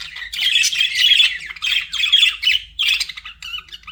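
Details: A pet budgerigar's warbling song in distinct bursts, each a buzzy, nasal run of chirps lasting about half a second, separated by brief gaps, ending with thinner squeaky notes.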